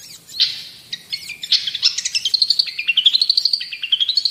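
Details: Long-tailed shrike singing: scattered sharp notes and short whistles building into a rapid warbling trill that rises and falls in pitch.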